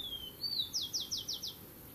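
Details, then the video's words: Territorial song of a rufous-collared sparrow: a thin whistle gliding down, a brief rising note, then five quick descending trill notes, very high-pitched and clear. "tico tico cantando defendendo o território"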